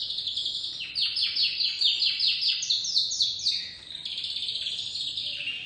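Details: Dominant white crested canary chick singing a fast, rhythmic series of repeated downslurred chirps, a steady high trill lasting several seconds before it eases into a softer warble.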